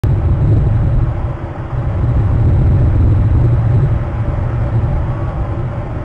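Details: Loud, steady low-pitched roar, like a vehicle or strong wind on the microphone, with no animal calls.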